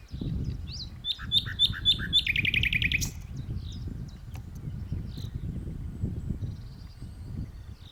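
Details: Nightingale singing in a tree, usually a secretive bird of dense bushes: clear separate whistled notes, then a fast rattling trill, then softer scattered notes over steady low rumble of wind or distant traffic.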